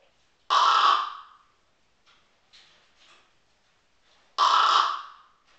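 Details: Pet common raven imitating the human-like snoring of an elderly Tibetan Mastiff: two loud, harsh, rasping bursts under a second long, about four seconds apart, with faint softer rasps between them in a quiet room.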